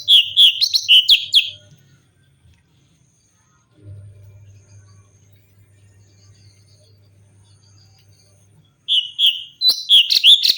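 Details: Cucak cungkok bulbul singing its varied song as a tutor for other songbirds: a quick cluster of loud, chirpy whistled notes, a long pause with only a low hum, then another lively burst of high notes.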